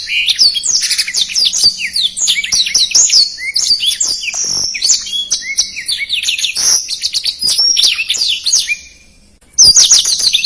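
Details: Black-throated canary in long, fast song used to train contest birds: a continuous stream of high twitters, rising and falling whistles and chatter, briefly breaking off near the end before resuming.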